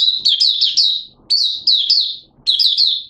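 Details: Buka sing of a Malaysian Oriental white-eye in minor moult, caged, 2 April 2023: three lively phrases of rapid, high, wavering twitters, each fading at its end, separated by short silences.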